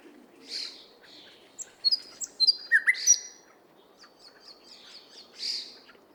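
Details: A nightingale sings in a Moscow park: varied phrases of sharp whistles and clicks, ending in a fast run of repeated notes, over a low hum of distant traffic.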